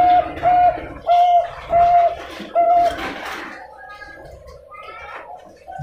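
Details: Zebra dove of the Bangkok type, captive-bred in Pasuruan, East Java, Indonesia, hatched June 2022, with a deep, well-rhythmed song: five smooth, even coos in quick succession, followed by quieter background chatter and rustling.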